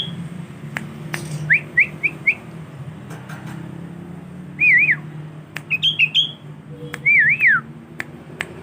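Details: Young male sooty-headed bulbul from a collection, tame and learning song: a series of short rising whistles, then warbled undulating phrases and quick high notes, with sharp clicks and low hum in the background.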